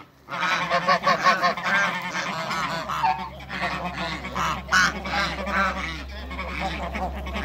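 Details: African and Toulouse domestic geese honking as they meet another animal on a farm. Brassy, rapidly repeated calls overlap in a loud burst, then ease into a quieter, looser series of honks.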